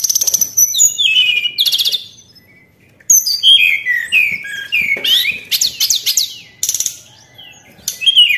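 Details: Song of a white-browed shortwing, known locally as tledekan, played as a lure: rapid high jumbled notes, falling slurred whistles and buzzy bursts, with a short silent gap before another dense run.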